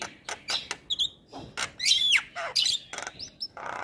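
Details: Male white-eyed Javan myna singing, its voice used as a lure to stimulate reluctant mynas to sing. Harsh broadband chatter and clicking bursts mixed with squeaky whistled slurs that rise and fall, delivered in an irregular, rapid sequence.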